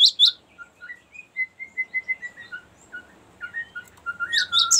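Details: Long rolling cinereous tit song for luring and training birds: two loud high chirps, then a string of soft, short whistled notes at middle pitch, and finally louder slurred whistles with high chirps.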